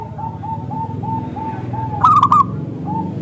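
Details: Zebra dove lure song: soft, evenly spaced coo notes repeat about every third of a second, broken by one loud, bubbly staccato burst in the middle, with low background hum.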